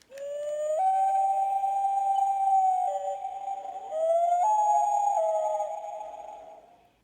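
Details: A Common Loon on a lake in Minnesota gives long, mournful, ghostly wavering notes that step up in pitch over about seven seconds; the recording is played back from a bird sound book and has a slightly electronic tone.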